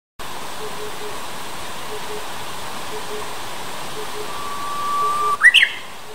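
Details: Japanese bush warbler at Ungok Wetland, 2 May 2016: a held, level whistle followed by a quick rising, warbled flourish near the end, over a steady background hiss.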